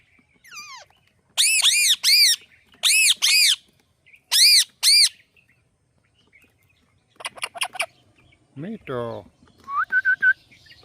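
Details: Parrot calling "Mithu Mithu": paired, loud, strongly harmonic arched notes repeated three times, then a rapid burst of clicks, a descending wavering note and short high chirps.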